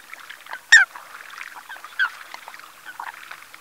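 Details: Eurasian coot at Ses Salines de Mongofre, Menorca, on 6 February 2020 at 9:00; one loud, sharp, nasal call, a softer second call about a second later, and faint chattering from other birds throughout.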